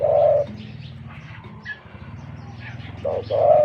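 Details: Wild-caught spotted dove kept as a decoy bird, prized for its big voice, giving two deep, loud coos, one at the start and one at the end, separated by a quiet gap, over a steady low mechanical hum.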